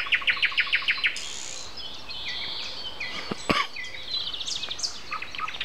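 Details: Morning nightingale song, 7:55 a.m., April 29: opens with a fast run of loud repeated clicking notes, followed by a rushing noisy phrase and scattered high chirps from surrounding birds, plus a brief knock.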